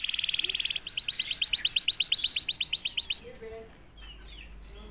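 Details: Canary (kenari) singing after a single prompt from a previously silent bird: a fast buzzy high trill, then a run of about twenty quick sliding notes repeated several per second, followed by softer scattered twitters.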